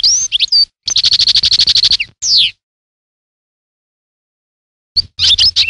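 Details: European goldfinch song: a quick twitter, then a fast rattling trill of evenly repeated notes, a slurred descending note, a long silence and a renewed burst of tinkling chirps.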